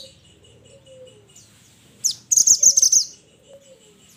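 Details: Mountain mantenan calling its companions: after a quiet start, a sudden burst of rapid, very high chattering notes lasts about a second, with faint lower slurred whistles in the background.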